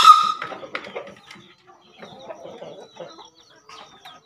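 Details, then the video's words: Two Javan green junglefowl calling vigorously, used as a lure and as a master track for newly caught birds: a sharp, high, strained crow at the start, followed by quieter scattered clucking and chattering notes over the next few seconds. "Gacor Terasan | Ayam Alas Ijo"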